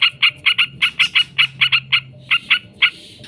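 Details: Yellow-vented bulbul in ngekek style, lure audio meant to provoke other bulbuls into answering, advised for morning and night training; a short run of separate harsh, clipped notes, roughly three to four per second, over faint low hum.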